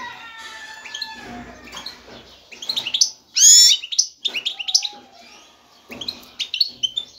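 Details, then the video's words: Excited song of a male goldfinch seeking a female to mate: jumbled high twitters and chirps with a few steadier lower tones and one loud, harsh burst midway. "ذكر الحسون جاهز, يبحث على الانثى للتزاوج"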